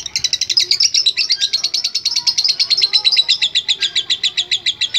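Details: Lovebird chattering in a sustained ngekek, rapid rasping high notes pulsing evenly, several per second, without pause.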